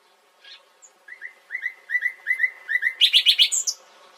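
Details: Nightingale builds a crescendo of clear whistled notes repeated in pairs, growing louder, then breaks into a fast series of high, ringing pulsed notes before falling silent.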